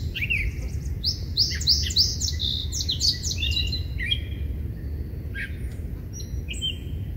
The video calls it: Catbird photo and call